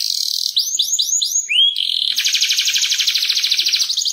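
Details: Atlantic canary in clear, vigorous song meant to tutor young canaries into long rolls. Several quick upward-hooked whistles and one lower slurred note lead into an unbroken rapid trill.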